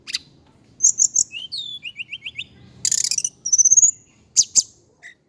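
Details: Indigo flycatcher from Java singing high, thin notes: quick chirp pairs, a run of four rising slurred whistles, a dense buzzy burst, then clear upward whistles and final sharp chips.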